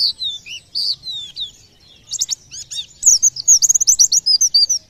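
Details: A white-eye (pleci) song, used in the belief that it sets other birds calling: clear high falling whistles at first, then building into a fast, chattering trill of bright repeated notes.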